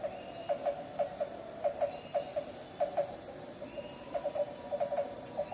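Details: Black-banded barbet (Psilopogon javanensis), a Java endemic locally called Takur Tulungtungpuk, recorded at Carita, Pandeglang, Banten, Indonesia: hollow low 'tuk' notes in quick pairs, repeated steadily, over a constant high insect drone.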